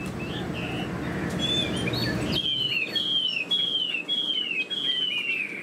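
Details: Caged Chinese hwamei with a fanned tail, described as a good fighter. After a noisy start with soft notes, it whistles one clear downslurred phrase five times in a row, each about half a second apart.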